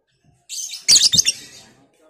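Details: Lovebird, Batman type, making the ngekek chatter used to provoke other lovebirds: a brief shrill, hissy rush of high notes, then a tight cluster of three or four harsh chirps, fading out within about a second.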